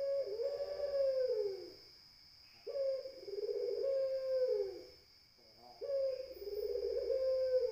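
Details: Long, vibrating coos of a Barbary dove, three phrases separated by short pauses, each ending in a falling, fading trill. A constant thin whine is heard throughout.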